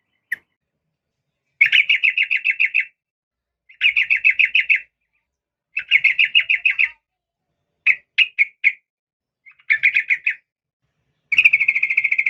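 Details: Calling female sooty-headed bulbul aimed at a male: repeated rapid trills of even, buzzy notes lasting about a second each, returning every two seconds or so, with a few short chirp groups between.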